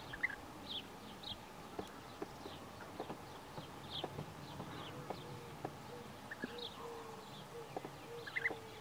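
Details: European bee-eaters by the Tajo river near Aranjuez, Madrid, Spain, in May 2023, give short, liquid, rolling chirps, several a second, over a steady low hum and scattered clicks.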